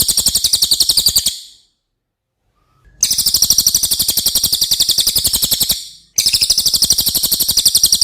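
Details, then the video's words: Cililin song used as tutor audio for contest birds such as magpie robins: very high, rapid buzzy trill of evenly pulsed notes, about four per second, in two long bursts broken by a short silence. "suara asli burung cililin"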